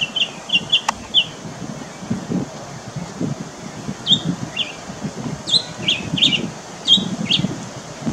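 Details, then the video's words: Mockingbird in Varadero, Cuba, September 2023, giving a few sharp, high chirped notes repeated in short bursts, separated by pauses, with steady low background noise throughout. "Пересмешник пение, Варадеро, Куба / Mockingbird song, Varadero, Cuba"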